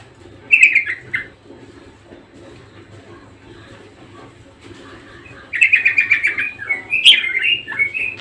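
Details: Budgerigar singing in two bursts, a short chattering phrase, then a long quiet gap, then a louder run of rapid squeaky chirps and wavering notes; low hum in the background.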